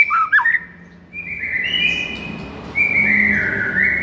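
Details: Masteran of a white-rumped shama, played to provoke a sluggish bird to sing angrily: a quick twisting whistle, a short pause, then sustained flat whistled notes held for over a second each.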